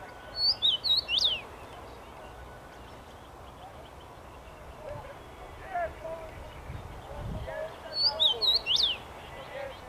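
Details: Common rosefinch singing from a tree on 23 May 2021: two short phrases of clear, slurred whistles, rising and falling, about eight seconds apart, over a low background rumble.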